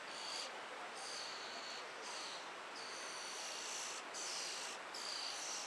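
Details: Hungry European starling chicks in a tree cavity, as a parent brings food, give a harsh, hissing, wheezy begging chorus in bursts about once a second, with a few thin high whistles over a steady noisy background.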